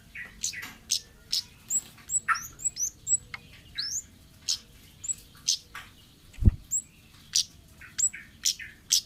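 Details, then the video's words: Wild orange-headed thrush song intended as lure material: busy, chattering high notes and clicks follow one another quickly, with a cluster of short whistled slurs near the start and one loud low thump midway. "suara burung Kemade ngalas"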